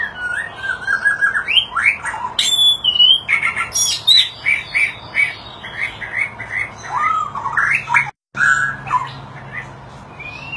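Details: A displaying white-rumped shama sings a rich, varied run of clear whistles, slurred rising notes and harsh squawky phrases, changing voice every second or so.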